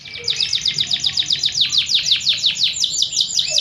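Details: Fighting canary singing a training song: a fast, steady run of high downward-sweeping notes, about eight per second, kept up throughout with a slight pulsing rhythm.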